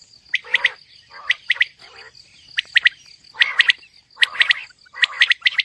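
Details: Female common quail calling, mixed calls: sharp bright notes in quick groups of two to four, each group separated by short pauses, with a steady high whine running underneath throughout.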